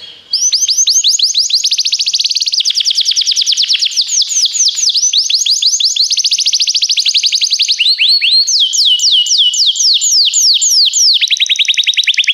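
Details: Sustained singing by a Belgian canary used for training, a long unbroken chain of quick rising notes, shifting pitch between tours and ending in tighter, lower trills.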